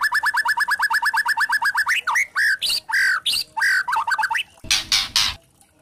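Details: Kretekan lure from a white-rumped shama of the spotted 'trotol' type, aimed at provoking other shamas to sing: a rapid string of about eighteen identical notes, then loud swooping whistles, a quick trill, and two rough rasping bursts.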